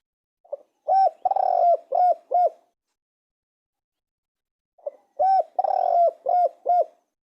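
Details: Spotted dove: two matching phrases a few seconds apart. Each opens with a soft lead-in note, followed by hollow coos, a longer rolling middle note and two crisp closing coos.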